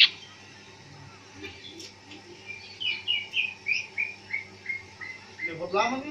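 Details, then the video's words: Greater green leafbird (cucak hijau) in ngentrok style during afternoon outdoor training, delivering a steady series of short, sharp notes roughly every third of a second after a spoken voice, ending in a rapid rising flourish. "Cara melatih mental burung Cak ijo Ngentrok di umbaran"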